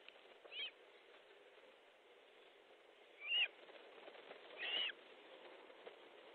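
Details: Osprey at a nest in Estonia, 13 July 2014, evening fish delivery: three separate sharp, high whistled calls spaced a couple of seconds apart, each a short arching note, over a quiet hissy background.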